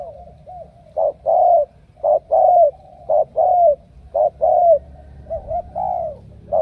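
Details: Strong steady cooing from a spotted dove of Ca Mau, a field-caught bird chosen for vigorous cooing, with rhythmic short-long coo pairs about once a second and a faint low rumble behind.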